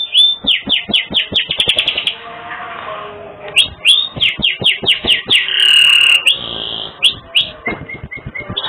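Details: Canary in energetic song with a unique phrasing for training birds: rapid runs of swooping chirps, a softer warbling passage, more quick sweeping notes, a brief buzzy trill and level piping notes near the end.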